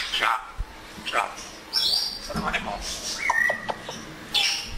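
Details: Pet African grey parrot enjoying the weather and talking, imitating words in Urdu and Pashto: short speech-like bursts mixed with clear whistled tones, including a steady whistle, amid sharp clicks.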